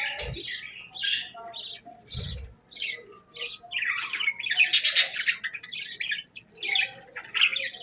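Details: Morning budgerigar warbling made of separate chirps, trills and rising squeaky notes with short gaps between, plus two brief low knocks near the start.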